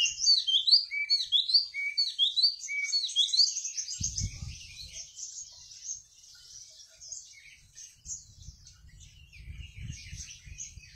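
A Mountain Tailorbird sings a rapid, high, thin twittering of squeaky rising notes, loudest at first and then fading, with brief low rumbling noise in the background.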